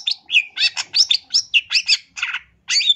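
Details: Long-tailed shrike singing energetically, full of fill-in phrases. Rapid run of harsh, chattering and whistled notes in dense bursts, about four per second, with a short gap before a final buzzy phrase.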